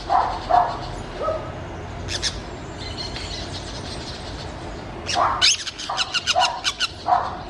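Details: Wild orange-chinned parakeets calling: scattered lower slurred notes early on, then a rapid string of harsh, shrill chattering bursts after five seconds, mixed with short mid-pitched squeaks, all above constant low rumbling background noise.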